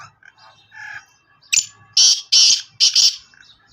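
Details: Black francolin from Sindh calling: after a few soft murmured notes, a sharp click leads into three loud harsh rasping notes in quick succession, each about half a second apart.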